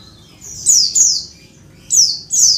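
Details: Oriental white-eye female calls summoning males: two pairs of high, downward-slurred buzzy notes separated by a brief pause, sharp and piercing over a quiet background.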